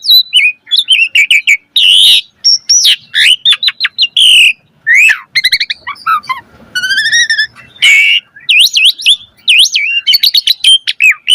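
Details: Asian pied starling singing in full, lively voice, used as a training recording for other starlings: a dense, varied run of loud whistles, chirps, slurred rising and falling notes and harsh squawky bursts, delivered in rapid phrases with short pauses.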